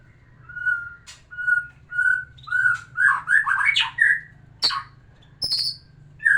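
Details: White-rumped shama song to stimulate a female for breeding: repeated clear level whistles at a steady pitch build into a loud, rapid, rolling warble, followed by harsh high squeaky notes.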